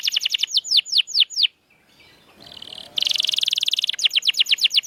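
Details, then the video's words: Canary song for prompting mute canaries to sing: rapid falling whistled notes, a short gap with background noise, then a burst of very dense high trilling followed by quicker repeated sweeping notes. "Kenari Gacor‼️Masteran Handal Pancingan Burung Bisu Agar Cepat Gacor Lagi"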